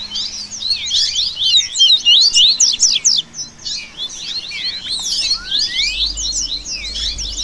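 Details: Seedeater birds in a 'baderna', a dense mix of songs played to warm up a caged coleiro and train its singing: overlapping high, fast twittering and chattering phrases with sharp sweeping notes, nearly continuous with brief pauses.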